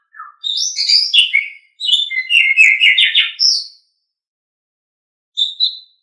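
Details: An Asian pied starling used as a training bird sings two busy bursts of mixed chirps, trills and whistles, then falls quiet before a short final pair of high notes.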